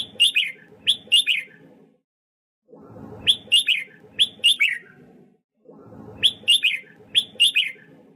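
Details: Red-whiskered bulbul song used for voice training and rousing wild-caught birds: three groups of rapid, fluty three- to four-note whistled phrases, with gaps between groups and a steady low background hum throughout.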